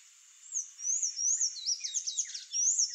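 Palm tanager song: high, thin squeaky notes, some rising and falling slurs, then a quick jumble of chattering notes, all strung together at a fast pace.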